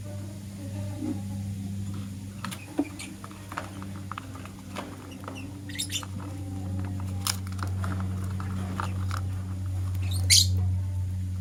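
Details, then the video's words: Morning chirping from lovebirds, a green Personata and a yellow pastel pied: scattered short high chirps and clicks through the clip, ending in one louder shrill chirp, over a constant low hum. "Lovebird Chirping Sounds - Green Personata & Yellow Pastel Pied"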